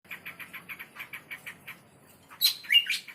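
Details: Male red-headed prinia lure call for drawing other prenjak to reply: a fast run of about ten even chips, then louder sharp rising whistled notes near the end.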